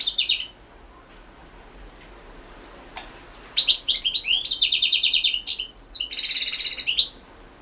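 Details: European goldfinch in a 2016 online song competition recording. A brief twitter gives way to near silence, then a long, fast, chattering phrase of slurred high notes ends in a buzzy rattling trill.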